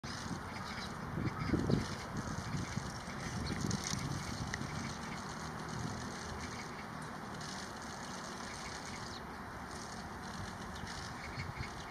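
Steady low rumble of passing traffic and outdoor noise, with a faint constant hum, and no clear animal voice.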